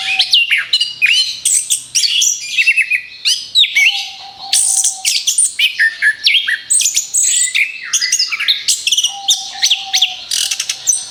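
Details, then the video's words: Orange-headed thrush pouring out a long, energetic song as a lure for other birds, with repeated bursts of high chirps, trills and whistled slurs and brief pauses between phrases. "TEMBAKAN BERUNTUN SUARA ANIS KEMBANG BUAT PANCINGAN MAUT"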